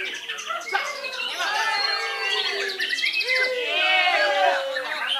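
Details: A white-rumped shama from Belitung, Indonesia, delivers a rich run of whistled notes, fast buzzy trills and sliding calls, while people chatter loudly in the background.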